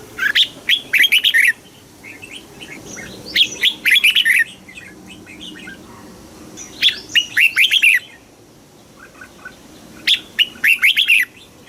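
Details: Thai red-whiskered bulbul singing in the southern master style, played to stimulate caged birds and teach young ones. Four rich, chattering whistled phrases, each about a second long, come roughly every three seconds.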